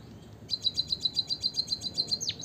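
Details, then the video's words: White-headed munia (emprit kaji) in full song, used as a lure to prompt lazy munias to sing: a fast run of thin, high chips, about six a second, ending in two sharp downslurred notes. "emprit kaji gacor - suara bunyi burung pipit"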